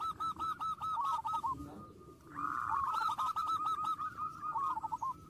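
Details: Zebra dove singing to provoke rivals: strings of quick, clipped cooing notes in two bursts, the second longer and trilling, over constant background rumble and hiss.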